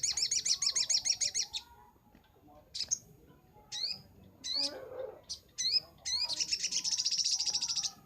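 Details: Brown-throated sunbird, recorded as a master for training birds: a quick high trill opens, then sparse sharp upslurred chips with a brief rustle, ending in a long rapid buzzy trill.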